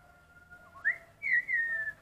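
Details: A Black-collared Starling gives clear whistles, first a brief rising note, then a longer bright whistle sliding gently downward, over a faint steady hum; used to train red-whiskered bulbuls' voices.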